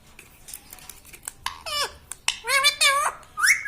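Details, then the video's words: Talking pet ringneck parrot indoors repeating word-like sounds: a few quiet clicks, then two to three loud harmonic syllables with wavy, downward-bending tones, ending on a rising note. "Talking parrot - Mitthu mitthu - Mummy Bolne Wala Tota"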